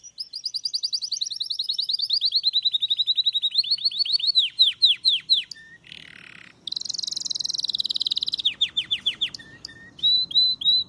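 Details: Belgian canary singing: fast, bright rolling trills, then a run of clear downslurred whistles, a short harsh buzzy burst, another high rapid trill and more falling notes, ending in short repeated chips.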